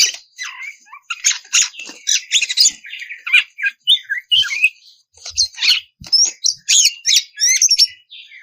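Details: Oriental magpie-robin female in breeding condition calling to the male, giving a rapid, uneven run of short scratchy notes, squeaks and clear whistled slurs, some rising and falling, packed closely over several seconds.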